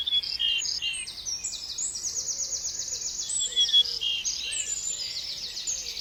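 A bird sings a fast, high, continuous run of bright chirps and trills, with several overlapping phrases and a few lower whistles beneath.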